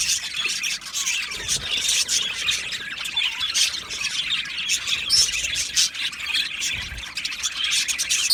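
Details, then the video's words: Budgerigars in an aviary colony during breeding and mating, giving dense, continuous high chirps and scratchy squawks that overlap into a steady chattering wash, with a few deeper thumps at times. "Beautiful Budgie Singing and chirping sounds"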